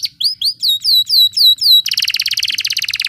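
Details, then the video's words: Rolling canary song meant to coax quiet canaries into singing: seven clear descending whistled slurs in an even series, then a rapid dense rattle-like roll. "Canary Ngeroll Emosi ‼️ Terapi Canary Jarang Bunyi Cepat Ikut Ngeroll"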